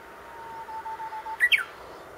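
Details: Japanese bush warbler singing from a tree beside a grave, recorded handheld with a digital camera: a long, low, steady whistle that breaks into a quick two-part phrase leaping up in pitch and falling back.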